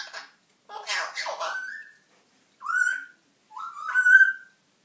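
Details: Newly homed pet African grey parrot chatting indoors: a jumble of speech-like babble followed by three whistled phrases, each rising then levelling off, the last one longest and loudest, with short silences in between.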